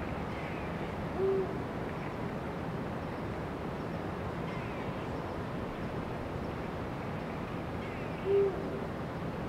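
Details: Two deep, even hoots from a Eurasian eagle-owl, about seven seconds apart, over a calm hissing background; recorded 16 February 2023.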